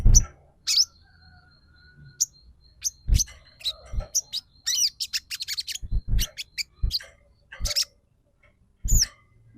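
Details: Actively singing bar-winged prinia: scattered sharp high chirps build into a quick run of thin, rising and falling notes, then sparse chirps again, with occasional low knocks and taps in the background.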